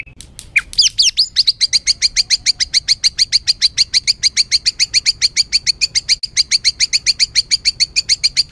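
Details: Agitated white-rumped shama song, meant to make birds quickly emotional: after a few twisting notes, a long, steady, rapid series of sharp, high ticking notes, about four per second.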